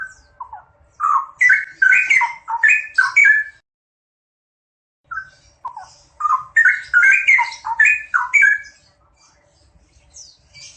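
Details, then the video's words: A pair of straw-headed bulbuls delivers two loud bubbling song bursts of rich, rolling whistles, separated by a two-second silence, with thin high notes trailing each phrase. "Sepasang Cucak Rowo Gacor"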